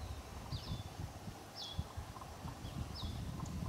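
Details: A pair of Eastern Bluebirds at Lake Yojoa, Honduras, in January 2011, where there are very few records, give soft, short down-slurred whistled notes about once a second over steady low wind rumble and thumping.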